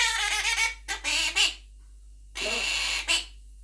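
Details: Monk parakeet (Quaker parrot) kept as a pet, vocalizing with its owner at home; long, raspy, broadband squawks, two drawn-out bouts separated by a short silence, each ending in a sharper accented note.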